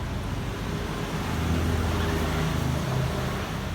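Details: Continuous low traffic and engine rumble fills the recording, with no animal voice audible.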